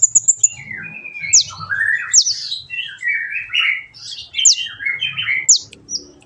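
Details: Kolibri ninja sunbird singing in a training recording: high ticking notes at the start, then a rambling mix of mid-pitched warbled phrases and sharp high downward whistles.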